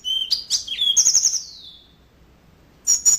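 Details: A yellow-fronted canary delivers a short gacor phrase: a couple of clear whistles, then a rapid warbling trill gliding downward, a silent gap, and two sharp high chirps.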